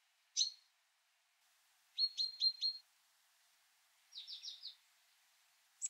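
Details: Great tit, a species heard everywhere from old forest to city centre and calling all year round, giving a sharp single call, then a quick run of four high clipped notes and a softer, slightly buzzy series of high notes.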